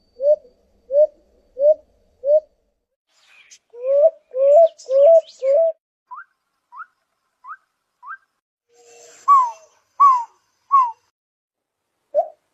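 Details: Ground doves, a very common bird in nature, singing: series of short, soft cooing notes repeated about every half second, then higher rising whistled notes and some sharper chirps from other birds.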